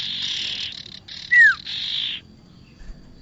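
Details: Bar-winged prinia lure sound for bird trapping: harsh buzzing phrases with a loud whistled note dropping in pitch in the middle, fading to near quiet.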